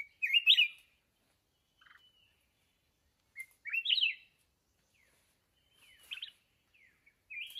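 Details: Wild mountain red-whiskered bulbul at a fighting trap with a decoy bird, giving short, bright warbled phrases that rise and fall, spaced by a few seconds of silence, with a softer faint chirp between them.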